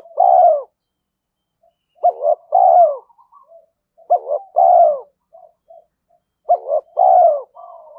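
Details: A spotted dove kept as a daily-trained decoy gives repeated challenge coos aimed at wild males. Four phrases come about two and a half seconds apart, each with a stuttered start and a long descending vibrating note, with soft notes between.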